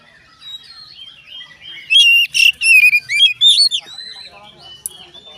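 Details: Oriental magpie-robin song meant to set other magpie-robins singing: after quiet faint twitters, a loud burst of clear whistled notes and sharp rising slurs lasting about two seconds, then softer chatter.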